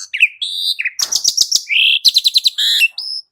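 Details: Asian pied starling song used as a lure to get a kept bird singing: short rising whistles, dense buzzy chatter and rapid rattled notes, then clear tonal whistles in quick succession, with no other sounds.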